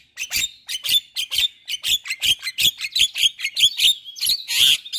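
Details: Caged Javan myna singing to encourage silent or stressed mynas: steady rapid series of sharp, scratchy chirps about three per second, ending in a rough, noisy squawk.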